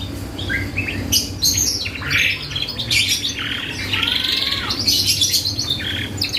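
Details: Energetic canary song used as a lure to provoke a response from other birds: a dense mix of chirps, buzzy trills and falling whistled notes, with a steady low hum throughout.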